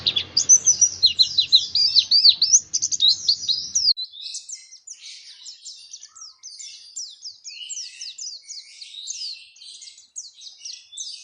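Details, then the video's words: Caged-bird training lure of Oriental white-eye song, meant to coax birds into full voice: loud rapid twittering opening, then softer, thinner chirps and sweeping notes continuing at high pitch, with faint low hum early on. "Pancingan supaya pleci cepat gacor"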